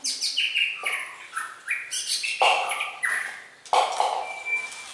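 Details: Red-whiskered bulbul in competitive song, a rapid run of short whistled notes stepping up and down, loud fluty phrases starting every second or so, one thin high steady note near the end.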